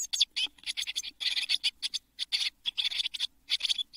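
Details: Eurasian blue tit chicks crowded in a nest box in June 2022, days before fledging: rapid, raspy, high chattering pulses running almost without break in quick-fire groups.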